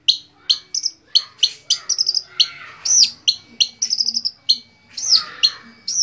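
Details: Long-tailed shrike, a mimic, singing song material for training other songbirds: varied rapid chirps, sharp whistled notes and looping upslurs near 4–6k, in quick bursts with brief pauses.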